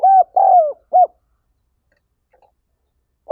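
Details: Spotted dove in gáy gọi calling style, one deep hooting phrase of a coo, a long sliding coo and a short closing note, then near silence before the next phrase begins.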